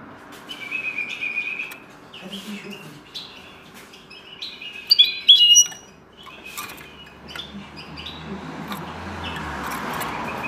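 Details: Common linnet trained to sing a goldfinch's song: scattered high, thin chirps and short twittering notes, with a brief louder burst of bright twitters mid-way, over a low indoor hum and faint voices.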